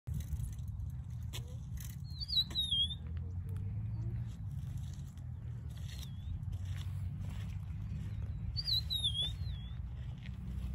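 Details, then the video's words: Rufous-naped lark singing, also giving a short bout of wing flapping; thin, high whistled phrases slurring downward with a twist, heard twice several seconds apart over a steady low rumble and faint clicks. "Rufous-naped Lark Singing beautifully"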